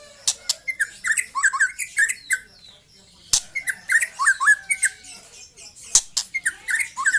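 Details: Young white-rumped shama singing: bursts of short hooked whistled notes around the middle range, some falling, delivered in rapid phrases separated by brief pauses, with sharp clicks and high chattering notes between.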